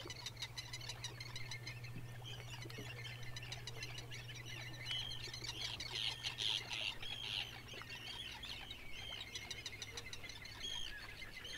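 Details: Red (Grey) phalaropes in Iceland, rare breeders there, filmed in breeding season under permit, give a dense stream of short, sharp, high chips with a few clearer whistled notes, over a steady low hum.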